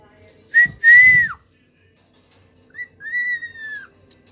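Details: Several pet cockatiels recorded by their owner: two clear whistled phrases, a short note then a longer, gently arching whistle, with some low thumping noise during the first phrase.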